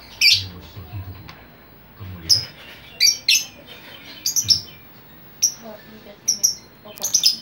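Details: Chatty lovebird calling to lure other lovebirds: rapid, shrill, high chirps and squeaky shrieks in irregular bursts, with a few low thumps in the background.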